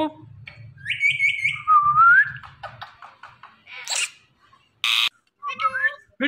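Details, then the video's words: Indian ringneck parrot talking in a mix of wavering, nasal, speech-like phrases and a rising whistle. A few harsh bursts and sharp clicks follow, over a low background hum. "The Talking Ringneck Parrot"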